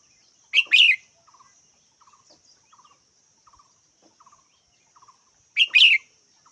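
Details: Red-whiskered bulbul gives two sharp double-note chirps about five seconds apart, while soft quick ticking notes repeat steadily in between, over a thin high hum.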